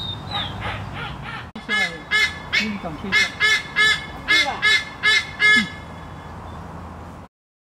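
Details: A white-bellied sea eagle, possibly a juvenile, gives a few fainter opening calls, then a run of about nine loud, goose-like honking notes, roughly two per second.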